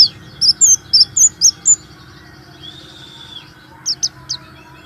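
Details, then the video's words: Warbling white-eye used to prompt other white-eyes to sing, giving a quick series of six high, bright chirped notes, a pause with a faint drawn-out whistle, then three more thin notes. "terapi pleci malas bunyi,pancingan pleci kurang emosi"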